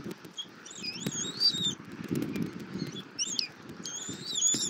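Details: Feeding time at a Southwest Florida bald eagle nest, February 2024: the mother eagle tears armadillo for her eaglet while fainter high whistled notes come in short wavering bursts over a steady low rustle.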